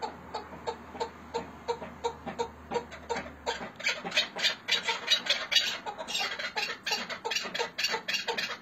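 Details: Chukar partridges of Hakkari and Dersim, Turkey: rhythmic clucking chucks start softly over a low hum, then grow louder and denser into a rough repeated chatter.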